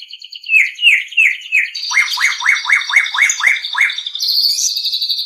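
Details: Captive-bird training recording of a white-rumped shama: three slurred chirps, then a steady run of about eight sharp downward-sweeping notes at an even pace, ending in a thin high trill.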